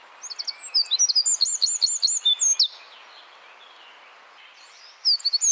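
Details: Wren in songbird-training material, rapid 'tembakan' style: a dense run of high, sharp, hooked notes lasting about two seconds, a pause, then a new fast burst starting.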